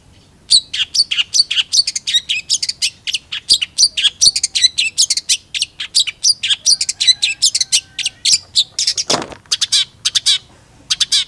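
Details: Gacor song of a long-tailed shrike used for tutoring other birds: a dense, rapid stream of high chattering and scratchy notes with a few thin whistles running underneath.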